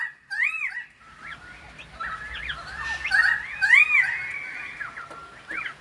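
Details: Pied currawong in song during Sydney rain: a long run of clear, wavering whistled notes that bend up and down, with a few louder rising slurs near the middle, over a soft steady hiss.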